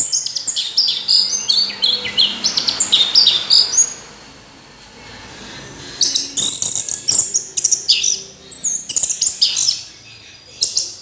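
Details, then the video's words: Orange-headed thrush singing in rapid bursts of high, sharp, varied notes, about four a second, for four seconds; after a quiet gap, a second run of bright chattering phrases, then another pause and a short burst. "Anis Merah Kicau Sampai Teler"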